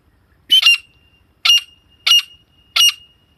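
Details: Female grey francolin lure call for hunting: four loud, raspy, squawking bursts, each with a short trailing whistle, spaced roughly half a second to a second apart.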